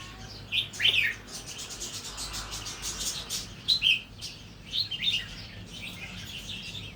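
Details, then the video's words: Natural-line red-whiskered bulbul, beginning to sing doubled phrases, gives three short, clear whistled-warbled phrases a few seconds apart, over a soft background of chirps and noise. "นกกรงหัวจุกสายธรรมชาติ เริ่มมีเบิ้ลให้ได้ฟังบ้างเเล้ว"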